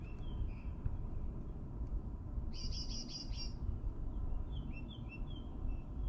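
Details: Great tits in May at an eleventh-floor spot in Mariahoeve, The Hague. One brief burst of about five sharp, high notes stands out, with faint scattered chirps behind and strong low traffic-like rumble throughout.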